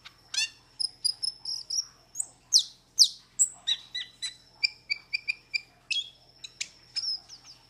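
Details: Metallic starling (Aplonis) song: a quick string of sharp, high chirps, clicks and short whistles, one to three notes a second, with a couple of harsh buzzy bursts near the three-second mark.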